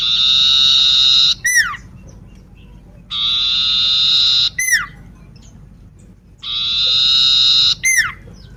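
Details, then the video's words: A sooty-headed bulbul with a deformed leg sings repeatedly: three loud, buzzy, drawn-out phrases about three seconds apart, each finished with a crisp downward-swooping whistle. "burung sirtu cipow kaki cacat gacor"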